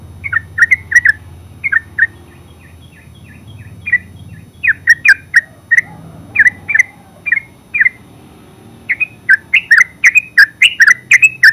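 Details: Yellow-vented bulbul, locally called terucuk, singing in the ngeropel style: short bubbly chirped phrases in clusters separated by pauses, with a low background hum.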